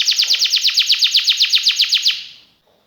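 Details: Canary delivering a single even trill of about sixteen bright downward-swept notes, roughly seven per second, ending abruptly and fading into silence after two seconds.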